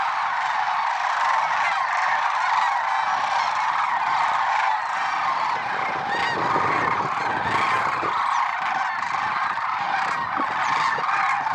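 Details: Lesser sandhill cranes calling in a huge gathering at Merced National Wildlife Refuge, early morning, February 6, 2023; dense layered rolling calls continue nonstop, with a brief low rumble midway.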